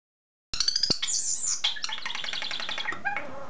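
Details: Pet common starling kept indoors, talking and singing: a dense, scratchy run of clicks, squeaks and rattling notes with high whistled slides, busy and continuous after a brief silence at the start.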